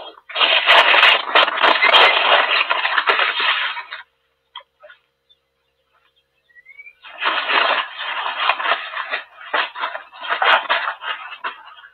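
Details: Two long bursts of rough, rushing noise, like wind or scuffling, separated by about three seconds of near silence, with no clear animal call.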